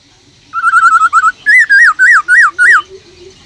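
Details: A caged black-throated laughingthrush sings a wild-style song meant to excite other birds. It opens with a fast run of short wavering notes, then gives five louder, ringing whistles that rise and fall.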